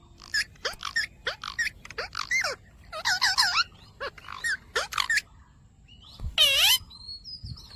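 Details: Ringneck parrot talking, "Mitthu Mitthu": a busy string of short, downward-sliding harmonic syllables over five seconds, followed by one louder rich, wavering call and a faint whistle.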